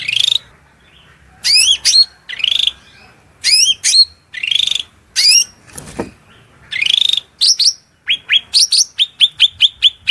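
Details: Shrill cucak rante masteran song with mimicked fill-ins of murai, cucak ijo, kacer and cendet, over running water: separated pairs of high looping whistles, a buzzy burst, then a quickening series of short piercing upslurs.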